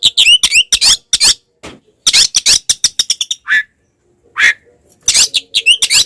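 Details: Oriental magpie-robin delivering a fighting song meant to provoke other magpie-robins; dense rapid harsh chattering notes with upward whistled slurs, a pause, then further raspy bursts.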